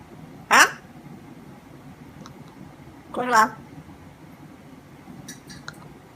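A grey parrot mimics human speech in two short voiced, word-like bursts about three seconds apart, followed by a few faint clicks in a quiet room.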